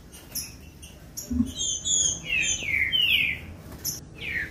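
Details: Green-winged saltator warm-up song meant to stir caged birds to sing, with bright descending whistled phrases in quick succession and a final falling slur, against faint high twittering and a low knock.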